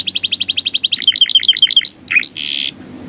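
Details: Canary tutoring song for young canaries: a fast high trill, then bouncing two-part notes, a rising slur, a few warbles, and a dense buzzy burst before it stops.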